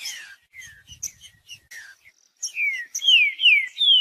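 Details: Song of a green-winged saltator meant to stir a cold bird into singing, favoured by tournament breeders; falling whistled notes and short chirps, then a louder run of strong downslurred whistles repeated about every half second.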